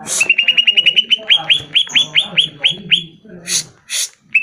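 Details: Greater green leafbird song played to coax caged birds into answering, opening with a fast run of about a dozen clear whistled notes, then slower down-slurred whistles, closing with two harsh bursts and one more whistle.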